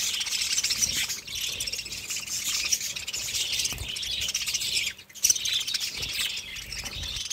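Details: Budgerigars chirping in a dense, nonstop high chatter of overlapping twitters and warbles, with a brief lull near five seconds and a faint steady electrical hum underneath.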